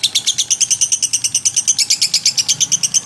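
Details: Lovebird in busy song used to tutor magpie-robins: short, sharp, high chirps in a regular quick pulse, around three each second, steady throughout.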